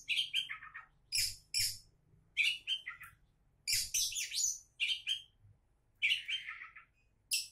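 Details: Oriental magpie-robin, a would-be champion, pouring out loud, varied phrases: bright whistles dropping in pitch, rasping scratchy notes and rapid chatters, separated by brief silences, with faint low hum behind.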